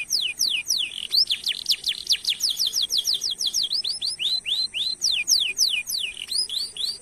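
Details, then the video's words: Canary singing a long rolled song used to stimulate other canaries: unbroken, rapid sequence of high descending whistled notes, about three to four per second, varying slightly in pitch and shape. "Masteran Suara Burung Kenari Gacor Nembak Suara Unik/Pancingan Ampuh Kenari cuit cuit Ngerol Panjang"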